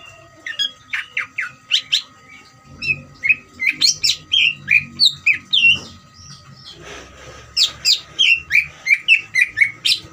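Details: Greater green leafbird in ngeriwik song used to agitate other leafbirds into singing; rapid, varied chirps and slurred whistles repeated about three times a second, a brief rustling noise midway, steady faint tone throughout.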